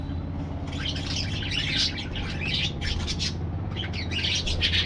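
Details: Parakeets in an aviary giving a continuous jumble of squeaky chirps and short harsh calls from several birds at once, over a steady low hum.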